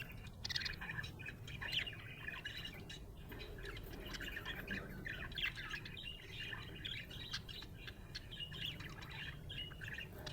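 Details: A happy budgie chatters continuously, a busy stream of scratchy chirps, squeaks and warbles over ten seconds, set against a low hum.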